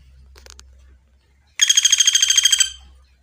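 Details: Woodpecker called pelatuk bawang, master recording for training birds: after faint clicks and low hum, a loud, rapid trill of about fifteen buzzy, evenly pulsed notes runs for roughly a second before fading.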